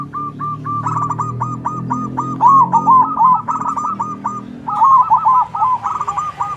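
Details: Zebra dove manggung, loud-voiced bird trading songs with local doves; long runs of quick, even coo notes give way to rolling, stuttering phrases, with a second bird overlapping near the end and a steady low hum beneath.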